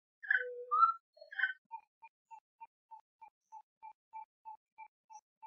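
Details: Gray-necked wood rail, also called saracura-três-potes or sericoia, in Brazil: a few loud harsh notes at varied pitch, then a fast even series of short clipped mid-pitched notes about three per second, with no background noise.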